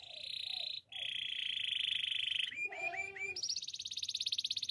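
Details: Waterslager canary training song: long steady buzzy trills, a short run of lower mellow notes, then a higher rapid pulsing trill, in a quiet indoor setting.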